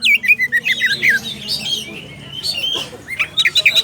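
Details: Oriental magpie-robin calling to a rival: a quick series of whistled chirps, a drawn-out wavering whistle in the middle, then fast sharp notes returning at the close.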